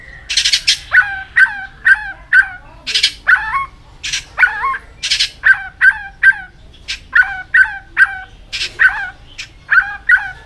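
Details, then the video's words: Fighting-style song of a white-rumped shama (chòe lửa) flicking its tail continuously: a steady series of clipped, ringing notes with hooked tails, repeated rapidly, broken every few seconds by harsh rasping bursts. "chòe lửa đạt điểm lửa hót đánh đuôi liên tục"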